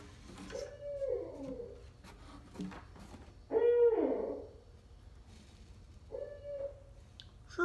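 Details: Barred owl (Strix varia) in the greater Ottawa area in fall: three separate rich, throaty hoots, each swelling and then sliding down at the end, spaced about two to three seconds apart over a quiet background.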